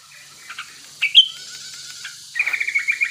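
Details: A sooty-headed bulbul, a wild breeding-condition male, sings as a lure for other bulbuls. A few soft notes and one bright whistle lead into a quick, even series of short chirping notes over steady background hiss.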